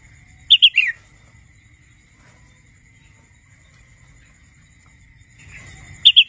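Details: Young wild red-whiskered bulbul learning to sing: two short bursts of three or four quick chirpy notes, each dropping at the end, several seconds apart, over a faint steady high whine and low rumble.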